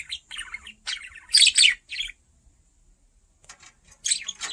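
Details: Curious pet budgerigar indoors, investigating a camera: bursts of bright, scratchy chirps and warbling chatter in quick clusters, a silent pause of about a second, then more chirpy chatter near the end.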